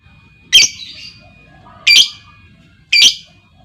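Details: Female lovebird calling, a sound meant to prompt other lovebirds into long trills: three sharp, harsh squawks spaced about a second apart, with a faint steady tone and low background murmur beneath.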